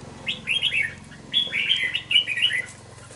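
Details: Caged young red-whiskered bulbul, caught wild and kept two months, sings two quick warbled runs of clear whistled notes, each lasting under a second, against faint low background hum.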